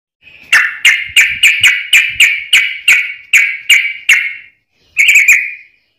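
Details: Sooty-headed bulbul song, fast and dense with straw-headed bulbul variations, used to train and provoke caged birds and lure wild bulbuls: about a dozen sharp chirps repeated quickly for four seconds, a pause, then a short burst.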